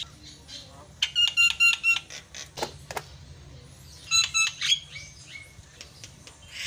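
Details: Javan myna singing to provoke other mynas: a short burst of rapid ringing buzzy pulses, some scattered harsh clicks, then a second chattering burst ending in slurred whistles.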